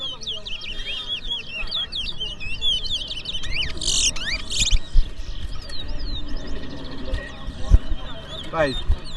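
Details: Two caged twa-twa finches compete in a song race in Berbice, with the singing counted aloud; a rapid, continuous jumble of high chirps and twittering trills, with background music and crowd murmur.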